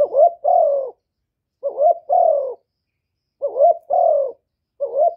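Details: Two-part low cooing of a spotted dove, used to provoke rival birds, recorded without other noise: a short warbling note then a longer falling coo, repeated about every one and a half to two seconds.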